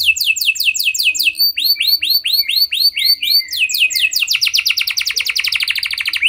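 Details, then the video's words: Lure song of a gacor canary: well-spaced, down-swept whistled notes that change pitch between phrases, then speed into a rapid, rattling high roll to the end. "Pancingan Ampuh Banyak Burung Kenari Cepat Bunyi Gacor Dengan Suara Kenari Gacor Lagu Unik Ini!"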